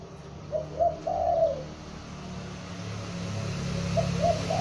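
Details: Young spotted dove kept as a lure bird, calling loudly: a three-part cooing phrase, two short mellow notes then a longer drawn coo, with another phrase starting near the end over a low steady hum.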